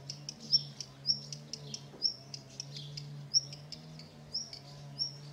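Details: A tree pipit that built its nest on a terrace and reared four young in summer 2016 gives bright, piercing high chirps in loose series. A constant low hum lies beneath.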